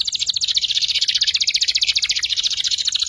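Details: Juvenile canary practising ngeriwik twittering, a lure song for training magpie robins and kacer: one continuous, rapid, rattling high trill of evenly pulsed notes with no break.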